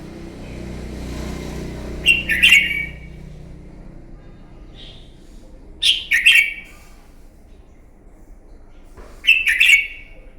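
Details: Red-whiskered bulbul, a newly caught wild bird, giving its morning fighting song, used to train and provoke other birds; short bright warbled phrases with sharp clicks come about every four seconds, with a low rumble in the background early on.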